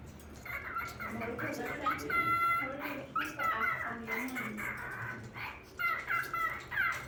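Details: A talking pet cockatiel producing clear whistled and chattering speech-like phrases in quick, irregular bursts, some notes rising and falling, with brief pauses between phrases indoors.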